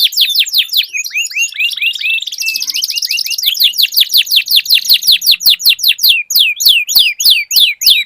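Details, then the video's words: Dueling canaries singing long rolls: quick downswept notes, a sustained buzzy roll, then a steady series of sharp descending chirps about twice a second. "Duel Burung Kenari Suara Merdu Ngerol Panjang"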